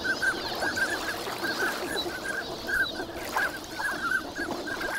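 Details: Dense flock of wintering ducks at Lake Inawashiro, Nagahama, on a bright morning: continuous overlapping short whistled calls, a few clear pure notes among the babble, steady low background hiss.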